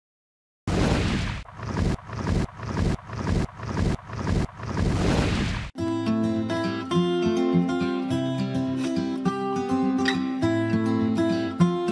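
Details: Rhythmic bursts of rushing noise give way to guitar music, with no animal calls heard.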